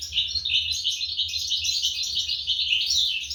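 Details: European goldfinch young begging during feeding by their parents, 2023; rapid, jittery high chips, about three per second, blend into a busy twitter over a soft low hum.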